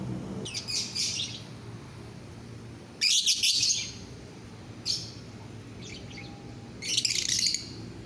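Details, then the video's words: Lovebird masteran (training song) recorded during the day: short bursts of high, shrill chirping, each under a second long, separated by pauses of one to two seconds, over a faint low background hum. "Masteran lovebird siang hari"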